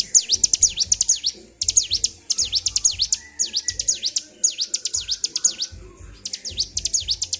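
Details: Bar-winged prinia in an emotional, nonstop bout of song, repeated phrases of quick high descending-then-rising chips, each phrase about a second long with short breaks between.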